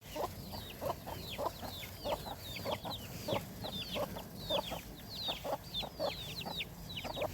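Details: Chickens on a farm: many high, downward-sliding peeps overlap throughout, with short low clucks repeated roughly once a second beneath them, over a steady low hum.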